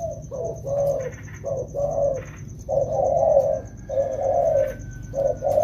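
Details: Wild-caught spotted doves in training during rainy season: deep mellow coos, short notes followed by longer drawn-out ones, a steady high whine running underneath.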